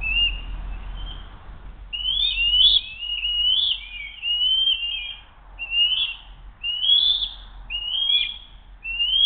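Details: Eagles on a nest camera, 07-02-2023 at 12:10, during a brief kerfuffle over food: one tries to steal and the other keeps possession. High, piping, whistled notes come in uneven bursts, some slurred downward, several every couple of seconds.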